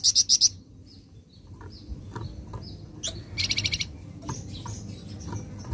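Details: Flameback lure sound played to make birds respond at once: a short loud run of four sharp high notes at the start, scattered soft whistles, then a fainter rapid series of repeated notes past the middle.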